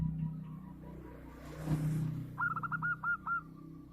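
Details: A local zebra dove, called a big-voiced, frequent singer, delivers a brief burst of staccato, evenly pitched coos near the end, after a stretch of rumbling low noise and a soft whoosh.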